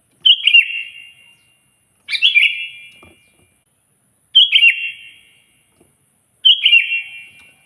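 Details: Sooty-headed bulbul (kutilang) song used to provoke a rival: four short liquid whistled phrases, spaced roughly two seconds apart, each a rapid jumble of notes dropping slightly and trailing off.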